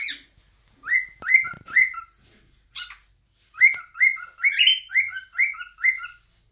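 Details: Caged pet cockatiels singing together indoors: a quick run of repeated whistled notes, each rising then dropping, about two per second, with a few sharp clicks and short squawks between them.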